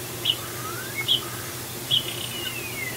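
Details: Three common starlings perched on the rails of the Decorah bald eagle nest on 17 December 2020 seem to converse: three short, high, buzzy chirps under a second apart, faint thin sliding whistles between, over a steady low hum.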